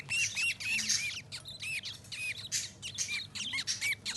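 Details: Budgies making happy sounds: dense, scratchy warbling mixed with curved squeaky chirps, several birds overlapping in quick succession.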